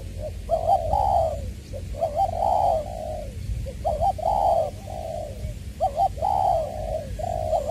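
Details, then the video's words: A decoy spotted dove from Trà Vinh's Long Đức, noted as a true 'giọng tiểu' singer, 22/2/2021. It gives repeated phrases of a short clipped note followed by a longer drawn-out coo, about six phrases in quick succession. "Ra mắt AE nước chơi mồi lỡ "Chuẩn Giọng Tiểu""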